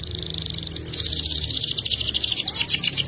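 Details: Canary (F2 YS) singing vigorously, long trill with a sharp tone. A softer high buzz swells abruptly into a loud, rapidly pulsing high trill that continues steadily for the rest of the phrase.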